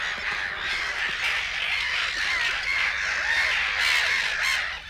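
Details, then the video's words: Noisy crowd of Black-headed gulls in Matsalu's reed beds, USSR, issued on a 1979 LP: grating, nasal caws pile over one another in a steady clamor, with a few sharper cries standing out above the mass. "Black Headed Gull"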